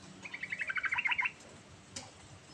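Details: Yellow-vented bulbul singing a continuous rolling song, used to coax a silent bulbul into singing. One quick run of about a dozen bright chattering notes lasts roughly one second, followed by a single faint click.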